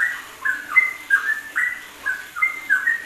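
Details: Yellow-vented bulbul giving ropelan song for training other songbirds: clear, liquid whistled notes, some dropping in pitch, in short bursts spaced about a third of a second apart.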